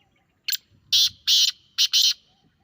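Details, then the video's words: Grey francolin (teetar) call, played to a caged pet francolin to provoke its reaction: loud, harsh, buzzy high-pitched bursts, one short note followed by four longer ones grouped in pairs, over a quiet background. "Teetar Call"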